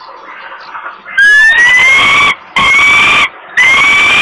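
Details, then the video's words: Hungry female falcon chick at a nest in Włocławek, Poland, crying for food as her father brings prey, 27 May 2022 at 20:06; loud harsh rising wails, each held about a second with short gaps, after quieter rustling. "Negra is crying hungry, Dad brings food, she grabs it"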